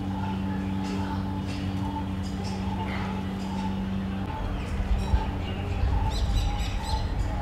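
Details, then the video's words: Barbets calling in a Delhi garden: low, hollow, evenly repeated notes, about one or two a second, over a steady low hum, with brief high chirps from other small birds. "Barbets calling"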